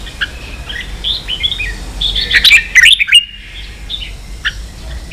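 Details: Red-whiskered bulbul, a cage bird in Vietnam, goaded into a heated singing duel: scattered chirps give way to a loud central burst of rapid, tumbling whistled notes, then sparse short calls.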